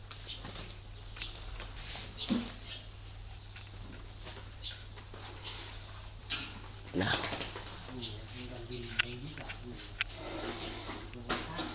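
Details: Spotted dove of the 'thổ' song style, a kept bird at a dove farm in Ba Vì, Hanoi, Vietnam. A loud burst of wing flapping comes first, then a short series of low, soft, stacked cooing notes. Steady background hiss throughout.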